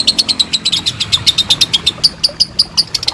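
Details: Lovebird giving a long ngekek trill, used as a training master for contest birds: fast run of sharp, high chattering notes, roughly seven per second, with a steady rhythm throughout.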